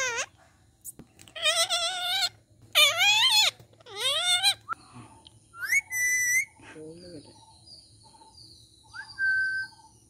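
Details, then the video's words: Rose-ringed parakeet talking in Sinhala: several harmonic, wavering speech-like phrases, followed by a rising whistle, a low croaky sound and scattered soft whistled notes. "talking ringneck parrot sinhala|කතා කරන මාල ගිරවා"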